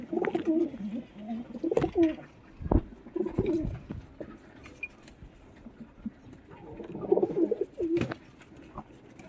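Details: Pigeons fighting, two ganging up on one, giving deep throaty rolling coos in bursts, with sharp clicks and scuffling knocks between the calls.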